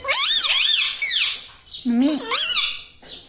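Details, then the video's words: A talking parrot said to say "Papa" and "Mummy" makes several loud, nasal, wavering speech-like phrases indoors, including a lower warbling syllable midway, with brief pauses between bursts. "Papa Mummy Bolne Wala Tota - Talking Parrot - Me Tota Me Tota || batuni tota"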